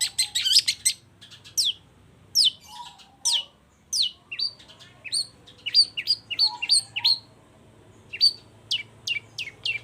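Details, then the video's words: Long-tailed shrike, a caged singing bird from Indonesia: a scratchy chattering burst, then spaced, sharply rising and falling whistled notes, some quick slurred doublets, with low background hum. "CENDET GACOR"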